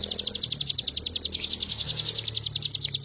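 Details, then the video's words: Bar-winged prinia in full song, used as a master recording for training birds to copy: an unbroken, even run of about thirty piercing, high notes, each sliding down, with a low rumbling hum behind. "Ciblek gunung gacor full bren..cocok buat masteran burung bahan agar ikut bunyi."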